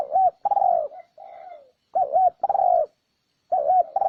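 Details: Lure recording of a spotted dove meant to stir up wild birds: repeated mellow coos, some with a quick dip and rise, others long and gently falling, with a fainter drawn-out coo midway. Quiet background.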